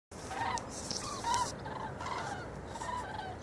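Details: A flock of Common cranes migrating north to summer grounds passes over a garden in Vianen, Netherlands, on 5 March 2013, giving loud, rolling, trumpeting calls overlapping from several birds, over a steady hiss of background noise.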